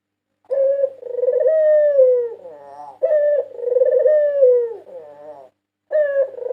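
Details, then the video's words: National champion white Barbary dove from 2022, recorded as a training and lure song: long mellow coos sliding gently downward, each followed by a softer stuttering tail, repeated about every two and a half seconds in a quiet room. "Masteran burung puter putih juara nasional 2022 merdu dan ampuh untuk pancingan"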